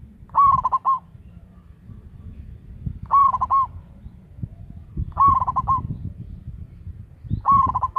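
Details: Local zebra dove, a loud, actively calling bird used as a lure, gives short bursts of rapid stuttering coos that rise then break into clipped notes, repeated every two to three seconds over soft low background rumble.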